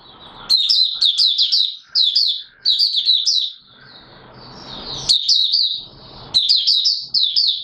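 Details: White-eye known locally as Mata Puteh Raja, a kept songbird not yet in full condition, starting its song: rapid, high-pitched chirped notes strung into clustered bursts about every second or two, with faint room hiss between.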